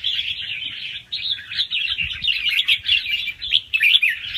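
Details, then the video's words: Fast-round song of young wild red-whiskered bulbuls with doubled phrases, used to stimulate listening birds; rapid twittering notes pour out without a break, bursts of louder chirps rising toward the end over faint background hum. "ลูกนกกรงหัวจุกป่าคัดหัวปากเบาๆ รอบเร็ว มีลักเบิ้ล ใว้เปิดกระตุ้นนกฟังนกคึก"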